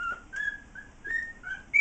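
A cockatiel whistles a learned television theme tune in clear, pure notes.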